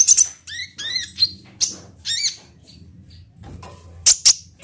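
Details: Olive-backed sunbird (kolibri ninja) sounds used as a lure to make a bird start singing: sharp, high chirps and descending slurred notes in short bursts, separated by pauses, over a faint low hum.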